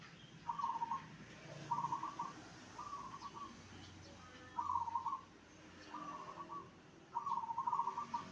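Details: Zebra dove song played to make other zebra doves answer: six short trilled, rattling cooing phrases near one pitch, repeated about every one to two seconds, with faint low background hum.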